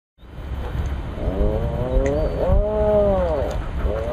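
Several Atlantic puffins give low, moaning groans that swell and bend in pitch, overlapping one another over a steady low rumble of wind or surf.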